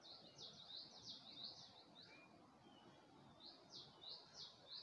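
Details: A bird sings at dawn in Gulmit, Hunza, by the Passu cones: bursts of fast, high chirping, a brief pause in the middle, then more clipped tweets, with faint lower calls and steady outdoor hiss.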